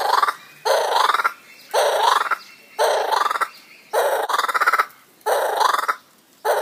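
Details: A laughing kookaburra gives loud, harsh, rattling bursts of rapid chuckling notes, each about half a second long, repeated roughly once a second.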